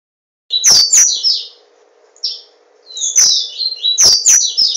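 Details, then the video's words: Caged papa-capim seedeater from Garanhuns, Pernambuco, Brazil, singing: high buzzy trilled phrases sliding between upper notes, two bursts separated by a pause, with sharp clicks from the cage and a steady low electrical hum. "Papa capim Tornado - Garanhuns-PE"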